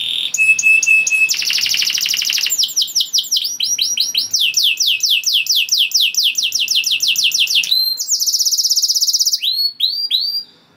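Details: A canary sings a long varied phrase meant to trigger breeding mood in other canaries: steady whistle, dense rattling trills, runs of quick downslurred notes, and a bright high buzz.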